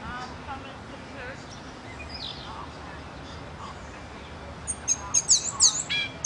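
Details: A black and white pet bird with a silver beak sings. After about four quiet seconds of faint background hiss comes a burst of very high, sharp chirps and quick rising and falling notes.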